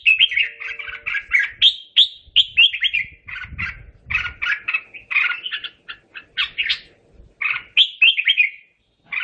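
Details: Red-whiskered bulbul song calling the flock: long, busy stream of warbled, chirping whistles in repeated phrases, with a faint low rumble partway through.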